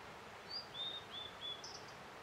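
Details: A Blue-and-white flycatcher in late April sings from a tree on the far bank of a river at Settsu Gorge, Osaka, on a warm day. Its short run of thin, high whistles ends in a brief harsh buzz over steadily rushing water.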